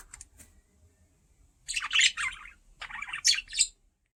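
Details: A curious pet parakeet near a camera produces harsh, noisy chattering squawks in short clustered bursts after a quiet start.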